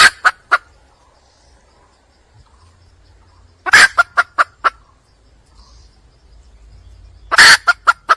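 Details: A wild red junglefowl hen calling for a male: three bouts, each opening with a loud, rough note and trailing into a few quick, fading clucks, separated by silent gaps of about three seconds.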